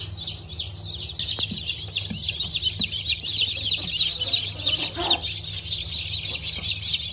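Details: Newly hatched Brahma and Wyandotte chicks, hatch dated 19 October 2024: a dense chorus of high, rapid, overlapping peeps from many chicks, continuous throughout, with a steady low hum underneath.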